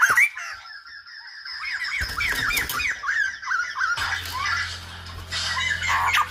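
Silver-headed babbler giving a fast run of short, hooked, slurred whistles, several per second, with a low electrical hum and room noise in the second half.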